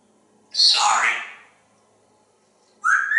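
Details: Pet male African grey parrot indoors at home in Texas, chattering while looking out a window on a pretty day: a raspy, noisy burst fading over a second, then after a pause a sharp rising whistled note.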